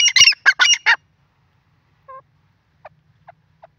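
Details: Grey francolin (teetar), male and female: four loud, harsh notes in under a second, followed by a pause and several faint, short chirps.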